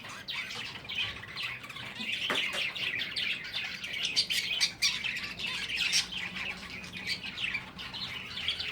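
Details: Dense high chirping from breeding finches, quick tweets overlapping one another continuously. A brief knock cuts in early.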